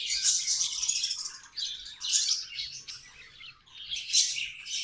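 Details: Pet budgies singing in three loud bursts of rattling, buzzy chatter separated by quieter twittering, all high-pitched.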